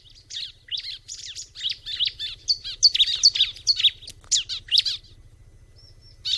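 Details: Bar-winged prinia delivering a long, rapid run of high, sharp chirps and slurred twitters, roughly two to three notes per second for about five seconds, then falling quiet before a final note.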